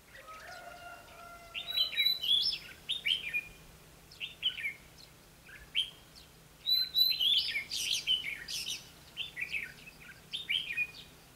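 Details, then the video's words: Decoy red-whiskered bulbul singing in a trap to provoke and attract wild birds, 20 May 2016, Vietnam: lively whistled phrases in quick clusters with pauses, plus a few lower drawn-out notes at the start and a faint steady hum. "Bẫy đấu chim chào mào"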